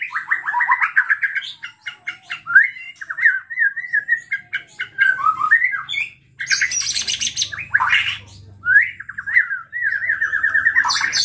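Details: Agitated white-rumped shama song played to provoke other shamas: stuttering repeated notes and short whistles, broken by loud harsh high-pitched bursts, then a trilled rattling phrase.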